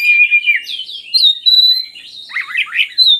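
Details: Oriental magpie-robin song used to prompt lazy birds into singing: clear whistled phrases and warbling slurs, a long steady high whistle held through the middle, then a burst of tumbling rising-falling notes.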